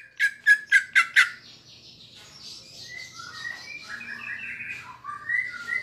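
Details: Caged greater green leafbird singing with kapas tembak filler to provoke rivals: five loud, evenly spaced chipping notes, followed by softer, varied whistled warbling over a low background hum.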